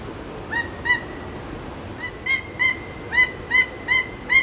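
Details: A Peruvian thick-knee at a zoo gives eight loud, nasal, honking notes in just over four seconds, each sharp-edged and rich in overtones, over a steady background hiss.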